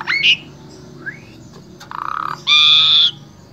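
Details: Asian pied starling from Wonosobo, Central Java, Indonesia, singing as a vocal tutor for other starlings: a sharp whistle, a soft rising slur, then a nasal buzzy note and a loud sustained harsh tone.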